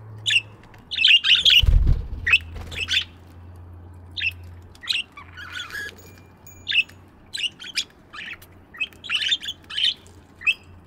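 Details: Chirping budgies in a morning aviary: a steady patter of short, sharp chirps from several birds, about two a second, with a low hum and a brief thumping noise early on.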